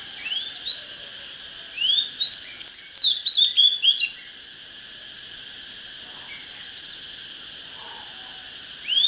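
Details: Oriental magpie-robin song meant to fire up fighting birds: a burst of rising whistles and quick chattering notes lasting a few seconds, then near silence with only a steady high tone and another short rising whistle at the end.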